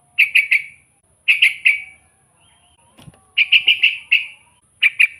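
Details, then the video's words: Sooty-headed bulbul used as a lure for wild bulbuls, giving quick clusters of three to five bright, liquid chirps, with a brief low thump partway through. "suara burung kutilang gacor full buat pancingan kutilang pikat"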